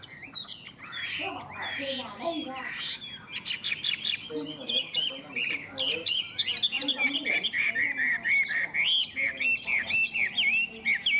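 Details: Vietnamese caged Chinese hwamei builds from scattered varied notes into a sustained, fast rolling song of repeated ringing whistles, roughly four elements per second, growing steadily louder over eleven seconds.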